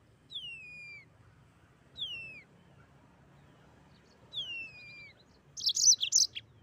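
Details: Mozambique canary, singing actively in 'ngeroll' rolling style, gives three clear downward-slurred whistles spaced roughly two seconds apart, then ends with a short, loud burst of rapid high chirps.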